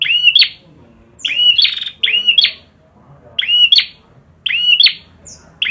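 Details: Prinia in lively song, giving clear high chirpy phrases of a few quick notes each, repeated five times at uneven intervals, with near silence between bursts.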